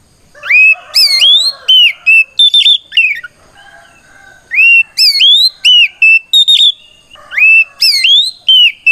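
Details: Rival-provoking fighting song from an oriental magpie-robin, repeated phrases of sharply rising whistles followed by level notes, groups returning roughly every three seconds with a faint lower warble between.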